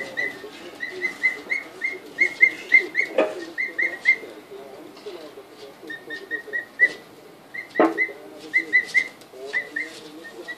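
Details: Emu chicks aged two weeks, just arrived and glimpsing the house, 24 February 2013, peeping in quick whistled series, interrupted by two sharp knocks and low murmuring sounds beneath.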